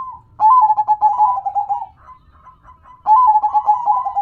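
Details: Zebra dove from a local perkutut collection giving a long rolling cooed phrase, then a quieter pause with soft faint notes, and another rolling burst of stuttered coos.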